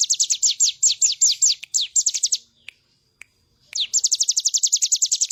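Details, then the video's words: Bar-winged prinia singing energetically in a recording made for training other birds to sing: uneven groups of high falling notes, a brief silence, then a fast, regular high trill. "Ciblek gunung gacor full bren"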